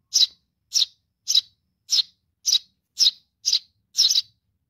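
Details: Nestling Eurasian tree sparrow calling for its mother: eight harsh, buzzy chirps delivered briskly, about two per second, evenly loud. The last chirp is slightly doubled.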